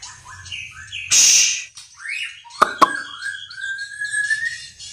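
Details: White-rumped shama composing its song: rising whistled notes, a harsh high burst, two sharp clicks, then a long rising whistle that levels off, with a faint low hum.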